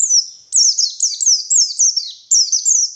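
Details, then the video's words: Spirited white-eye lure song from a wild bird in the morning: clear, high chirps, each sliding downward, repeated in quick succession with a brief pause midway. "Suara Burung Pleci Gacor || Pancingan Pleci Ngalas Pagi Hari"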